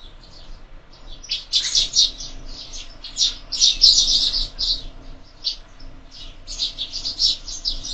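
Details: Several sparrows chirp at a bird feeder fixed to a window, feeding at breakfast; dense overlapping chirping in bursts, starting after a quiet second, with a faint low hum underneath.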